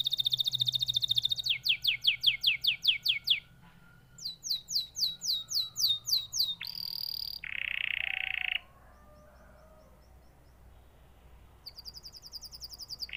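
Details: Canary song in phrases: quick runs of sharp descending chirps repeated several times a second, a short harsh buzzy burst, pauses of near silence, then a bright trilled phrase resuming.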